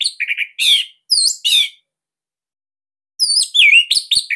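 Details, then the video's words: Orange-headed thrush of the Bali type, a song described as unique, fairly dense and loud, used as a master to prompt young or silent birds to sing: short bursts of rich twisting whistles and sweeping chirps, a pause, then a rapid varied phrase. "Kicauan ANIS MERAH Ini Cocok Buat Masteran Burung Sahabat Dirumah."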